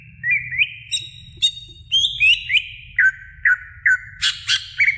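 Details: Greater green leafbird in a training recording for other birds, giving clear whistled notes that step and slide, a string of evenly spaced downslurs, then a loud harsh chattering burst at the end.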